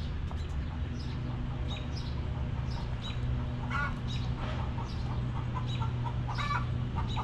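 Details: Backyard chickens relaxing in their coop give short, rough clucks in scattered bursts among frequent high chirping of small birds over a constant low hum.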